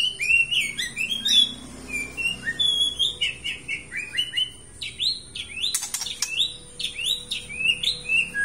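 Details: White-rumped shama from Aceh singing constantly: a lively, varied stream of clear whistled notes, swoops and short trills, some rising, some falling, with a brief noisy burst midway and a low hum beneath.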